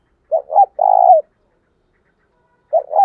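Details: Spotted dove kept as a decoy, cooing a challenge and calling to draw in wild doves: one full phrase of two short notes and a drawn-out rolling coo, then the opening notes of the next phrase.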